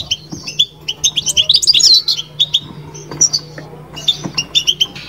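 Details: European goldfinch singing bitbita, a chattering run of high, tinkling notes building into a rapid trill, then separate bright chirps, over a steady low hum.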